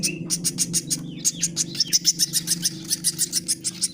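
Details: Woodpecker chick being hand-fed with bird feed gives rapid, harsh, high-pitched begging notes, about three to four a second, in an insistent steady series over a low constant indoor hum.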